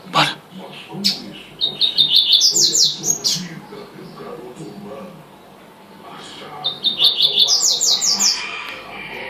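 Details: Double-collared seedeater singing the tuitui manda chuva style twice, each phrase of sharp high chirps stepping upward into a fast rattling trill, separated by a pause of a few seconds; faint clicks and background hum.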